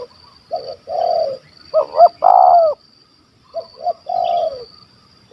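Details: Spotted dove with a big voice and stuttering kuk 1 2 call, hunted in Malaysia: three low phrases of short double notes then a long coo, the middle one loud and close, against faint background hiss.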